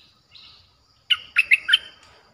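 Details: Streak-eared bulbul song used as a lure for wild birds, a soft buzzy phrase followed by four sharp, bubbly slurred notes in quick succession, with faint low background noise.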